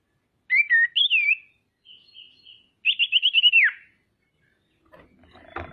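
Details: Female common iora in full voice, used as a lure to make rival ioras call and become agitated: clear whistled notes, a curling whistle, soft buzzy notes, then a rapid descending trill; a faint rustle at the end.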